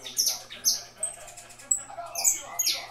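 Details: Saffron finch kept by a breeder, singing figurando: bright, very high chirps and short downslurred notes in irregular bursts with brief gaps, a faint low hum behind.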